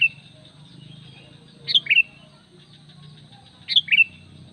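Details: Sooty-headed bulbul luring call, a crisp high note followed by a lower slurred whistle, repeated twice two seconds apart, with a steady low drone behind.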